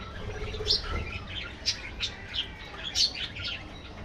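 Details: Budgerigars in an aviary colony give scattered short chirps and warbles between 2 and 6 kilohertz, several sharp notes spaced about a second apart over a low steady background hum.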